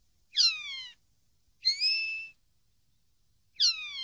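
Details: Common linnet on a song-training recording: three drawn-out, clear whistled notes, each sliding downward or held level with a bright, ringing tone, separated by short pauses against a silent background.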